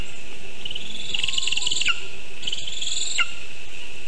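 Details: Lesser spotted eagle at the birch-tree nest in Zemgale, 19 August 2023 at 9:24 am, during a vole delivery. Two strained, pulsed high calls, each sliding down sharply at the end.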